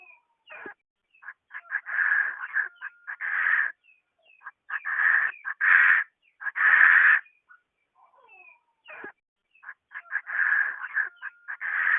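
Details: Female Chinese francolin calling, with harsh, buzzy bursts of notes in uneven runs separated by short pauses. A faint steady tone sits behind the calls, and the background is otherwise quiet.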